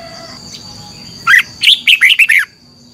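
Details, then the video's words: Red-whiskered bulbul (chào mào) in morning competition song, used to prompt other birds to sing: a single lively phrase of about six clear, slurred whistles in just over a second, with a thin steady hum. "Luyện chào mào hót sáng - chào mào hót đấu"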